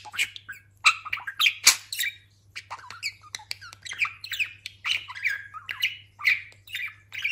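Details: Pet talking budgerigar, freshly moulted, giving a stream of scratchy squawks, clicks and warbled chirps in irregular bursts, some louder rasping notes early on, with a constant low electrical hum in the room.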